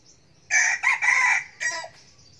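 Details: Eager young red junglefowl cockerel used as a decoy: a short raspy crow in broken syllables, three quick loud bursts and then a trailing final note, over a soft low hum.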